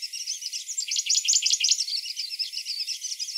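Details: Morning song of a grey-breasted prinia, a steady, unbroken stream of high, chattering, rapidly repeated notes, swelling in loudness near the middle and holding strong to the end.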